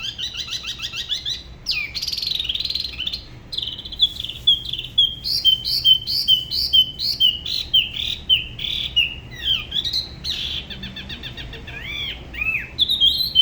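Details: Solo singing by a spot-throated babbler from the La Ba river area of Da Lat, whose style differs from other regions: rich jumble of warbled whistles, a run of rhythmic repeated notes, then varied upslurred phrases.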